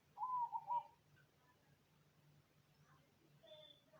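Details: Cemani zebra dove singing (manggung): one short, low cooing phrase of three quick rounded notes in the first second, then near quiet with faint scattered sounds over a steady low hum.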